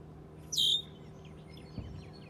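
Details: Baby goose giving one sharp peep that slides down from very high to high pitch, followed by faint, quieter chirps from other young birds in the background.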